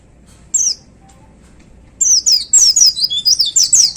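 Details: Caged white-eye singing a loud, energetic chattering song on its hanging pole. A single high chirp is followed by a pause, then a rapid run of sharp, downward-slurred, high-pitched notes and twitters at about four per second. There is faint background hum.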